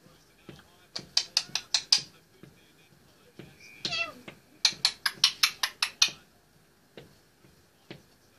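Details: An 18-month-old male Indian ringneck parakeet talks and sings on top of his play stand indoors. It gives a run of harsh, bright, rapid chattering notes in two bursts, with a drawn-out descending squawk between them.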